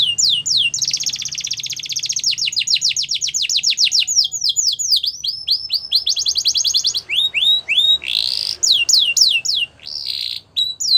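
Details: Gloster canary delivering a long song of alternating buzzy rolling trills and series of descending whistled notes, with short pauses and a harsher burst near the end.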